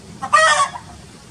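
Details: Japanese chicken giving a single short, harsh, nasal call lasting about half a second over a low background hum.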